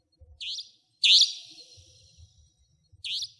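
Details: Savanna Nightjar in Pingtung County, Taiwan, 2014–2015: three rasping high calls, the middle one loudest with a lingering tail, amid soft low thumping noise.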